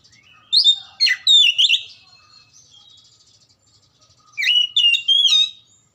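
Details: Magpie-robin song meant to spur lazy birds into active singing: two bursts of varied whistles mixed with chattering notes, separated by a pause of about two and a half seconds.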